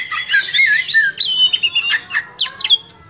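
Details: Oriental magpie-robin singing actively in the gacor and ngobra manner: a dense, fast run of varied whistles, sweeping slurs and chattering notes, bright and high, in short bursts with no other clear sounds.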